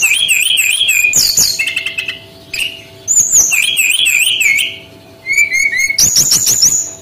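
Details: Male brown-chested jungle flycatcher from Bali, singing actively as a lure for young birds: rapid looping whistles, clipped rattles and high chirp series follow one another in bouts with short gaps.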